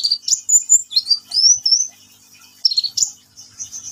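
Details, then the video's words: Sunbird, known locally as kolibri ninja, in full lively song: very high sweeping whistles and sharp chirps run together in rapid phrases, then a pause and a scratchy, trilled burst. "KICAUAN BURUNG KOLIBRI NINJA GACOR"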